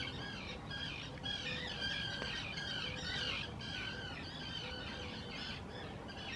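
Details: Common terns in spring 2018 at the Hula Nature Reserve, Israel, calling noisily in courtship while claiming favoured nesting sites on islands built for them. Harsh, grating calls with ringing overtones come in quick, irregular bursts over a steady low rumble.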